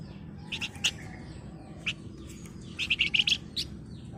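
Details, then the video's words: Flamboyan bird singing in the gacor style, described as ngebren rapat nyerecet: bright, high chirps in short clusters, some rapid stuttering runs, separated by brief pauses over a steady low background hiss. "Burung Flamboyan Gacor Ngebren Rapat Nyerecet"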